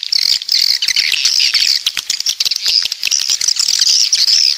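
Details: High, thin chirps from coastal swiftlets of the south come in quick bursts, with brief whistled notes and clicking ticks over a steady twittering background.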